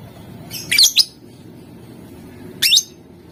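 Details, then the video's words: To provoke rival birds, a lovebird sings in the ngetik and ngekek styles; it gives a quick pair of thin, shrill, slightly warbling chirps, then a single similar chirp nearly two seconds later. "Suara Lovebird Gacor Memancing Emosi Lawan, Bikin Lawan Langsung Nyaut, Gacor, Ngetik, ngekek"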